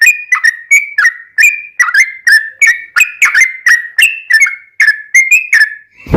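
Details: Yellow-vented bulbul ropelan song used as a master for caged bulbuls: even run of bright, slurred whistles, around three a second, ending in a sharp low thump.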